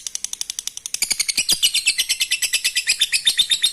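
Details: Lovebird singing to stimulate breeding: dense, shrill chattering notes at about four per second, growing louder and more continuous after the first second.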